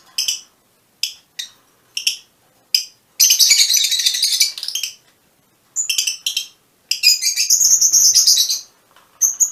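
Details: Colour-mutation Fischer's lovebirds give shrill, high chirps, first single notes about once a second, then long bursts of rapid, scratchy chatter.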